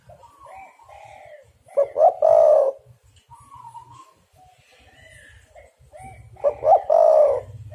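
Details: Lure recording of a spotted dove, known locally as derkuku or tekukur, meant to draw birds into calling; two coo phrases roughly four seconds apart, each a pair of quick notes into a long warbling coo, over soft low thrumming.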